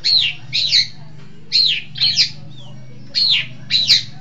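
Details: Long-tailed shrike from East Java, described as clever and vigorous in song: harsh, slurred notes sweeping downward, given in pairs with short pauses, over a steady low hum.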